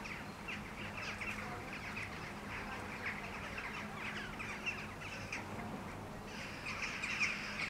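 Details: A flock of Eurasian jackdaws flying over Helsinki, Finland, in July 2013 gives sharp, overlapping 'chak' calls in a steady stream, several per second, over a low background hum.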